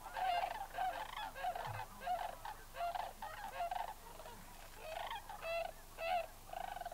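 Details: Many Lesser Sandhill Cranes at Bosque del Apache in 2009 give loud, rolling, trumpeting calls, overlapping in bursts about every second, over a low background rumble.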